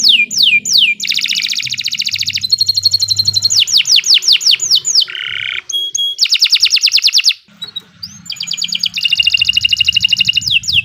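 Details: Canary in full continuous song, meant as a tutor recording for training birds. It mixes fast rattling trills, sweeping whistles and dense buzzy passages in rapid succession, with a faint low hum beneath.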